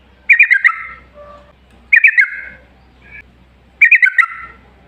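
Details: Yellow-vented bulbul song used as a lure to make other bulbuls sing: short bubbly, warbled phrases of quick up-and-down notes, repeated about every two seconds, with soft lower whistles between.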